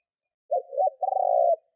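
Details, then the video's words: Kept spotted dove decoy cooing to provoke wild doves: one low phrase of two short hoarse notes followed by a longer, steady, slightly throbbing coo, clean with no other sounds. "Tổng hợp chim cu gáy thúc gù / Cu gáy kích mồi Cực chuẩn / Tiếng cu gáy kích bổi nhanh nổi"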